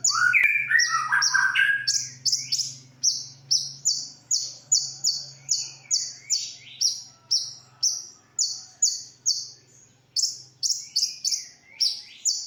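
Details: Original konin song, from a sunbird, recorded as masteran for training other songbirds: a short lower warbled twitter, then a long, brisk series of high, sharp, slightly buzzy downslurred notes, over a faint low steady hum.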